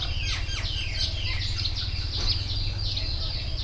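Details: Wild birds singing beside the Mekong river: many overlapping high chirps and short slurred whistles, set against a steady loud low rumble.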